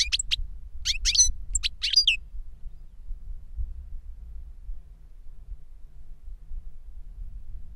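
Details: Goldfinch reclamo song, tutor and young novice taught from a CD. Two seconds of fast high twittering bursts, followed by quiet low rumble for the rest.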